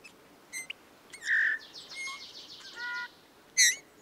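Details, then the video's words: Eurasian bullfinch song, which sounds like creaking metal and is given mainly in the breeding season: a low steady whistle, a ladder of soft piping notes, a buzzy trill and sharp high chirps, separated by short pauses. "Как ужасно поёт снегирь"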